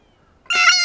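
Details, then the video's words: Excited blue jay near a ripe banana gives one loud, raspy, buzzing call with a dense stack of harmonics that begins abruptly after a brief quiet lead-in. "Blue Jay Meets Banana - Makes Monkey Sounds"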